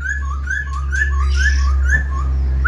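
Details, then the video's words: A caged black-throated laughingthrush, with no female present, spreads its tail and wings while singing a rapid run of clear whistled notes, alternating higher and lower, several each second, over a steady low hum. "Khướu bạc má VIP đuôi xòe, múa cánh giọng cực hay"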